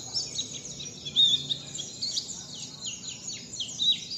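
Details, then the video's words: Wit wit zipeer style bird song for learning: piercing level whistles alternating with steep down-slurred notes, repeated in quick phrases over a faint background hiss. "Belajar wit wit zipeer"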